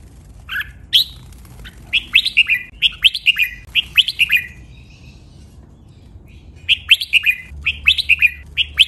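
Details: Training song of a red-whiskered bulbul, doubled phrases in a clear, pleasing style: runs of sharp, bubbly whistled notes in quick groups, a short quiet spell, then more lively phrases; low hum in background.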